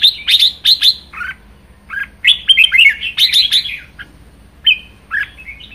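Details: Captive pet Red-whiskered bulbul delivering vigorous 'ché' style song: quick bursts of bright, warbled whistles, several short phrases with brief pauses between, the loudest notes sharp and high-pitched.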